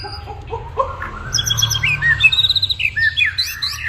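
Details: White-rumped shama in lively full song, a varied run of whistled and trilled phrases climbing from low notes to high, rapid sweeping notes, over a steady low hum.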